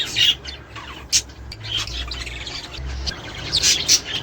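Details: Budgerigars, sound used to stimulate mating, breeding and egg laying: scattered sharp high chirps and short squawks with quiet gaps between them, over a faint low hum.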